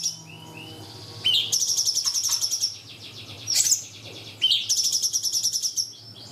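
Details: Cungkok, or ashy tailorbird, singing bursts for tutoring young shamas: a soft whistle, then rapid high trills in three bouts separated by short pauses, each bout of quick, evenly pulsed notes.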